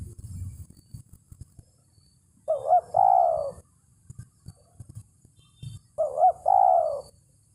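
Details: Spotted dove lure call aimed at a rival: two phrases about three seconds apart, each a short wavering coo run straight into a longer falling coo, with scattered low knocking sounds between.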